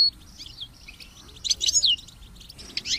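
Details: European goldfinch song used to train and motivate kept goldfinches, alongside chicks chirping: short high twittered phrases with a quiet gap, then a brighter burst of rapid chirps near the middle and again at the end.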